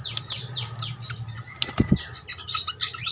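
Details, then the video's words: Malaysian pied fantail giving a quick run of high, squeaky downward-slurred notes, with soft fluttering thumps and a low background hum, used as a lure call to get birds singing. "sekali pancing bikin cepat gacor sikatan kipas"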